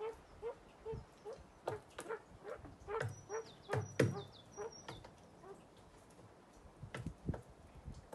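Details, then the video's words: A male common pheasant at Soini gives soft, low clucks about twice a second, broken by a few harsher, louder bursts, with faint background noise. "Fasaanikukko kiittää"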